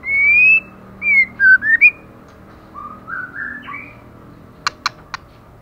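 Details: A female white-rumped shama, moulting yet singing hard, gives a loud rising whistle, then short swooping whistled phrases, softer lower notes stepping upward, and three sharp dry clicks.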